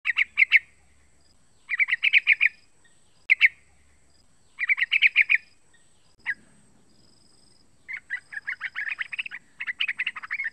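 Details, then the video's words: A young Yellow-vented bulbul, about three months old, gives short bubbly bursts of three to six chattering notes, then a longer run of quick notes, against a quiet background; used as a lure call. "SUARA PANGGILAN TRUCUKAN MUDA"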